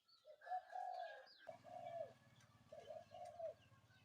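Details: A spotted dove coos in the morning in a steady rhythm of short and longer coos, over a constant low engine-like hum and faint chirps from other birds.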